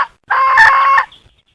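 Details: Hen giving a single loud, raspy, harmonic-rich call lasting under a second, steady in pitch, preceded by the tail of an earlier note.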